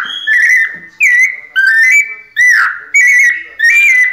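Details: White-necked thrush, kept bird, singing pianado: six bright whistled phrases, each slurring up or down, repeated at a steady pace of roughly one every two-thirds of a second.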